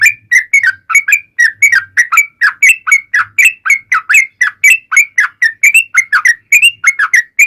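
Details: Long rapid-trill song of a vigorously singing yellow-vented bulbul, meant to provoke replies from other bulbuls; dense series of short liquid whistles, often doubled, running steadily without break for the whole stretch.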